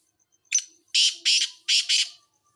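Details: Black francolin calling: a harsh, rasping phrase of five loud grating notes. A short opening note is followed by two pairs of screechy bursts, set against a quiet background.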